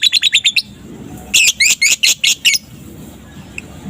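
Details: Young lovebird (balibu) of fighter type in full ngekek chatter in the afternoon, used as a lure to set off other lovebirds: a rapid run of sharp high chirps, then a pause and a louder burst of about eight chirps.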